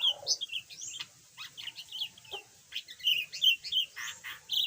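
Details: Yellow budgerigar, once mute and now starting to chatter a little: a busy, scratchy warble of short chirps and buzzy notes, rising and falling quickly, with brief pauses between bursts.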